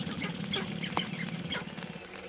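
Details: Sharp-tailed grouse during their mating dance, early morning, May 5, 2019; four or five quick, bright cackling clucks in a short burst over a low pulsing background.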